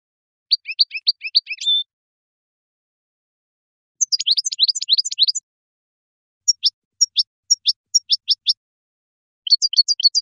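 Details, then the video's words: European goldfinch natural song recorded as a lure call: bright, high-pitched twittering runs of rapid metallic notes with a drawn-out buzzy note, then sparser tinkling chirps and a final quick jingle, with nothing else audible. "Reclamo Jilguero"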